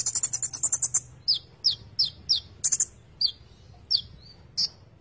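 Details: Konin in full song: an opening burst of fast high trilled notes, then repeated sharp descending chips and short buzzy phrases spaced irregularly, with a low hum in the background.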